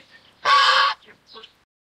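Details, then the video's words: A Swan Goose (Anser cygnoides) gives one loud, harsh, nasal honk lasting about half a second, followed by a couple of fainter, shorter notes. "鴻雁/Swan Goose"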